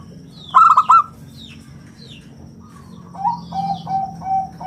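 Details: Local zebra dove singing in a round, crystal voice, used as a lure and song model. A burst of rapid bright coos, then a pause, then a run of five lower, evenly spaced coos. Faint chirps are heard.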